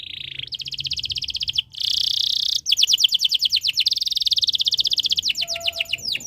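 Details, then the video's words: Canary in breeding condition, its song meant to set other birds singing: a continuous run of fast rattling trills, a dense buzzy phrase, then long series of quick repeated down-slurred notes. "Suara Burung Kenari ini Bikin Burung Lain Ikut Bunyi"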